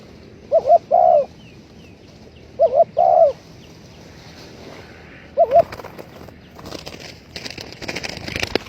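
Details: Spotted dove coos played as a trapping lure: two separated bursts of short-then-long soft coos, a single short coo later, faint higher twittering in the background, then rustling and handling noise.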